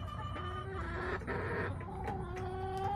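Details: Hens in a backyard flock, recorded July 18, 2024, give drawn-out tonal clucks and a nasal squawk that rise and fall, with several overlapping voices and a low background rumble.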